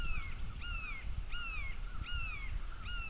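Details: Bald eagle at a Florida nest, with the pair's grown offspring visiting. A thin, high series of piping notes, each sliding downward, repeats about every two-thirds of a second over low wind rumble.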